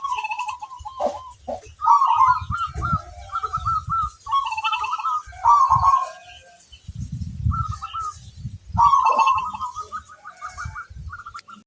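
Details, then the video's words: Actively singing local zebra dove, played to lure other zebra doves into answering: repeated rolling coo phrases with runs of staccato notes, mixed with low thumping and rustling noises. "Perkutut lokal gacor ampuh - untuk pancingan semua burung perkutut"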